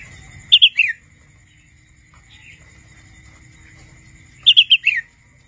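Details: A young wild-born red-whiskered bulbul learning to sing gives two short practice phrases about four seconds apart, each a few quick bright chirps ending in a slurred falling note, over a faint steady hum.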